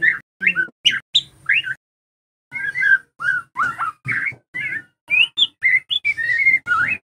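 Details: White-rumped shama of the trotol type, training audio for caged shamas to learn songs and build emotion: rich whistled phrases around mid-high pitch, rising and falling slurs in short bursts with a pause, clean background.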